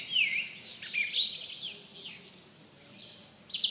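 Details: Song Thrush singing short, high phrases with rising and falling whistled notes, each brief figure separated by small pauses, over a steady hiss of background noise.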